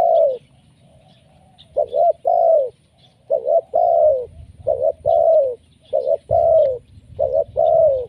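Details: Spotted dove lure call, energetic and repeated: phrases of short coos ending in a longer downward-sliding coo, repeated roughly every one to two seconds, with faint high chirps behind.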